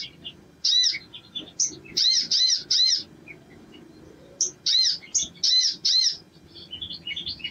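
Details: Sogon bird in energetic song, used to provoke singing in others of its kind: short clusters of three or four arched high notes with soft twittering between them.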